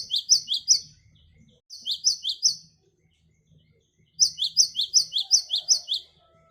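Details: Song variation of a great tit, used as a lure for wild birds: short strings of two-note phrases dropping in pitch, a burst of three, another of three, then a longer run of about eight.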